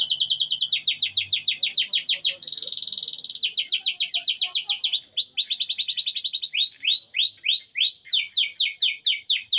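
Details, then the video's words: Canary song used as a daily training recording to get a silent canary singing: loud, unbroken high trills in rapid runs of repeated notes, switching between buzzy rolls and sweeping whistled elements with no pause. "Kenari Nggak Mau Bunyi? Putar Suara ini setiap hari suara asli kenari"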